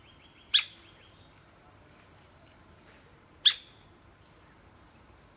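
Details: A woodpecker, possibly a Streak-throated, Scaly-bellied or Laced Woodpecker, gives three sharp, isolated pecking knocks spaced two to three seconds apart over a steady high insect hum.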